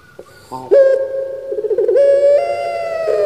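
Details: Barbary dove called puter pelung in Indonesia, a kept bird whose voice resembles human weeping: a short click, then a loud sustained coo that rises in a step and holds steady to the end.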